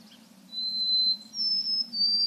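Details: White-throated Sparrow, a bird of spring migration and northern woods, giving clean pure whistles: one long steady note followed by a higher held note and a third slightly lower, over a low steady hum.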